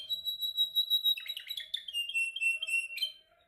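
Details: Canary singing in training: a rapid high trill, then a burst of varied buzzy chirps and a lower rolling trill that fades away at the close.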